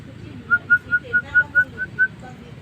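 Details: Starling (jalak) singing actively: a steady string of eight short, clear whistles repeated about every quarter second at nearly the same pitch, over a soft low hum.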